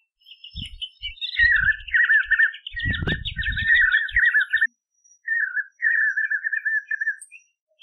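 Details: Spot-backed puffbird singing in the Brazilian caatinga: long, loud, wavering trilled phrases with a higher rapid chatter running over them, a brief pause, then another quavering trill, with low rustling thumps beneath.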